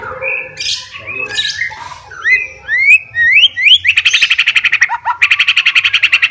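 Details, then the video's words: Caged male white-rumped shama, a fighting bird, singing aggressively as if seeking a rival: low warbles and rising slurred whistles, then a loud, fast, rattling series of repeated harsh notes. "MURAI BATU SUPER FIGHTER,, BIKIN LAWAN AUTO EMOSI"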